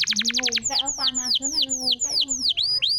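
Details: Canary singing as a prompt for a silent canary. Quick rattled notes open, then a series of loud downward-slurred whistles about every third of a second, over a faint low hum.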